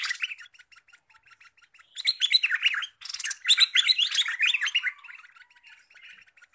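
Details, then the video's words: Recently trapped olive-winged bulbul, singing eagerly as a lure bird: soft, evenly repeated ticking notes give way to two loud bursts of tumbling, bubbly chirps, then fade back to quiet ticks. "merbah lekir hasil mikat sekarang Gacor siap jadi master mikat"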